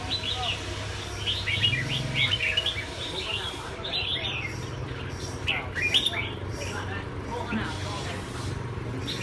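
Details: Red-whiskered bulbul song: lively clusters of quick chirping and warbling notes in bursts, with human voices talking and a constant low hum in the background.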